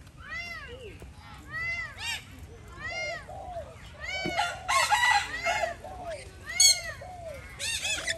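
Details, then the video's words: Alexandrine parakeet calling while being fed: a run of harsh, arched squawks with rich harmonics, coming in quick bursts roughly every half second, some louder and overlapping near the end. "alexander parrot sound"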